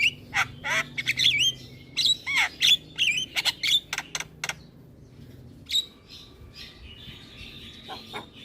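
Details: Javan myna in full song with head-bobbing, meant to make lazy mynas sing: fast bouncy series of squeaky whistled slurs and sharp clicks, then a quieter stretch with faint thin whistles.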